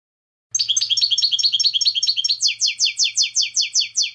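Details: European goldfinch song with bright twittering notes running into a steady series of about a dozen repeated downslurred chirps, a faint low hum underneath.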